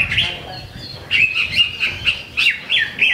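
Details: First-placed greater green leafbird at a Ramadan practice singing contest in Sungai Batang Jawai giving short bursts of sharp, whistled high chirps, repeated about every half second with brief pauses between.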